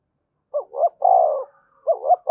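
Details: Spotted dove in 'thúc gù' style, used to excite and train birds: a low, soft two-note lead-in followed by a long rolling coo, then the next phrase starting right after a short pause.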